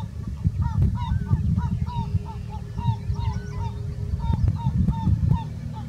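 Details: Breeding Herring gulls, 21 May 2017, giving short, nasal, slightly bent notes in quick uneven series, two or three a second, over a heavy low rumble of wind or surf.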